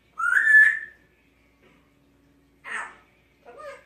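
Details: Pet Congo African grey parrot, a six-year-old female, in a small room: a bright two-part whistle sliding upward, a pause, then a short raspy burst and a brief final chirping phrase.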